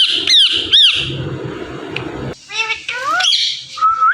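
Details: Indian ringneck parrot, a talking pet parakeet said to say "Mithu". Two sharp arched squawks open, then a murmur of low background noise, then a run of rising whistled and chattering notes ending in a flat, drawn-out whistle.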